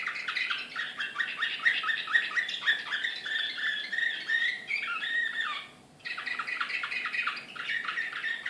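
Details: Canary of the Serbian Srpski Slavujar song type from Belgrade, 2014, singing excitedly: a continuous, rolling run of fast chirps and trills with brief buzzy and rattling phrases, pausing briefly near the sixth second before resuming.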